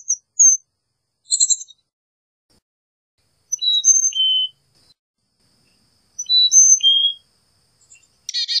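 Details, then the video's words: Carolina chickadee singing repeated phrases of three or four clean whistled notes, stepping down in pitch, with a few short buzzy notes between phrases and a rasping note at the end. "Carolina Chickadee Song! Carolina Chickadee Call!"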